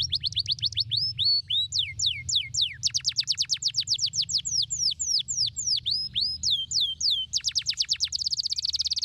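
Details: Stimulating canary song meant to rouse a lazy canary: continuous fast sequences of sharp sweeping notes in varied tempos, some slower slurred phrases, closing with a dense rapid buzzing trill; soft low background hum.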